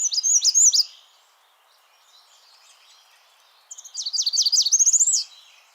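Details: American Redstart, a spring migrant warbler in Washington found in waterside deciduous trees and willows, sings its three-phrase song: high, thin, sibilant notes, then a rapid run of slurred phrases rising to an emphatic finish, with faint background hiss.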